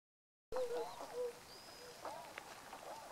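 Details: Tundra swans filmed on 1 January 2014: a few soft, nasal, slightly wavering notes around mid-pitch, one longer drawn note near the start, over a busy background of other faint flock calls.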